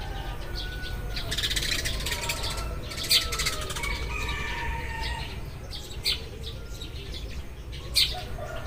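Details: Eurasian tree sparrows chirping as morning arrives: dense bursts of short, sharp chirps with fluttering wings, louder single chirps near three, six and eight seconds, and faint thin whistled notes from other birds in the background.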